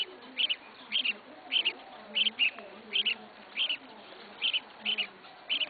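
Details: Caged red-whiskered bulbul kept as a first bird, repeating about ten even paired chirps at a steady pace of roughly two per second, clear against a quiet background.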